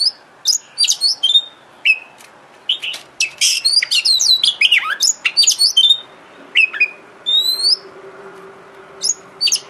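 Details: Kacer lure recording used to make the bird sing and open its tail: quick high chirps and slurred whistles in a dense opening run, thinning to spaced rising whistles over a faint steady low hum.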